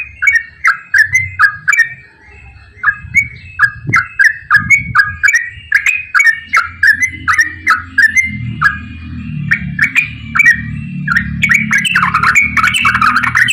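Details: Long rapid chattering song of a yellow-vented bulbul: evenly spaced bubbly notes repeated quickly throughout, becoming denser and busier toward the end as a low rumbling background grows.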